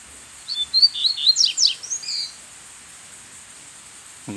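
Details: Wild brown coleiro, a Double-collared Seedeater, intruding on another's territory and singing a more whistled song toward a caged decoy bird: one quick phrase of high slurred whistles and sharp downswept notes, then quiet with faint hiss.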